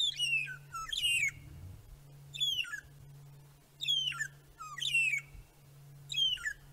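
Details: At sunset on 10 June 2017 at Djuma Game Reserve, one of three Magpie Shrikes (Urolestes melanoleucus) sings in wind: clear, descending whistled phrases with slurred, warbling notes every one to one and a half seconds, sad and cry-like, over low hum.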